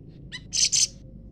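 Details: Leafbird trading calls with a scarlet minivet: a faint high note and a stacked harmonic chirp, then a doubled harsh, raspy high burst, loud and close, with only soft low hum behind it.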